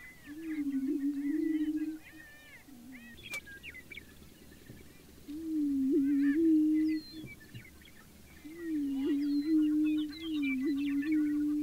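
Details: Spring lek ritual of prairie chickens in central South Dakota, Fort Pierre National Grasslands, early morning. Deep, steady, cooing booms come in three drawn-out notes with short gaps between them, over a scatter of thin, high calls from the lek.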